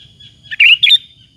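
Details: Lure song of a sooty-headed bulbul, meant to stir other bulbuls to call back. A thin steady whistle leads into two loud, warbled chirp bursts, then a faint whistle tails off, with a low background hum.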